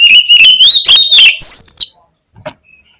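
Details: Oriental magpie-robin (kacer) used as a lure song to trigger a bird to sing: a loud, rich run of whistled and chattering notes that rises and shifts pitch for nearly two seconds, then brief faint notes.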